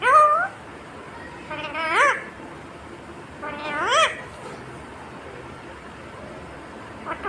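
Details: Talking parrot with the words mummy papa gives three nasal, harmonic speech-like phrases, each rising and bending, followed by a quiet stretch.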